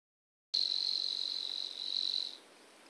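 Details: Savi's warbler singing at Stupava, Malacky, Slovakia. A continuous, even, insect-like buzzing reel at a steady high pitch, starting abruptly and running almost two seconds before stopping, against a quiet background.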